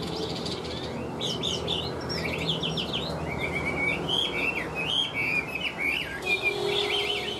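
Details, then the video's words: A Chinese hwamei, said to sing well, pours out a fast, rich sequence of twittering and whistled slurs, varied and nearly continuous, against low background noise. "Ngũ trường bộ to, hót tốt, bóng bộ cực đẹp | Họat Họa Mi"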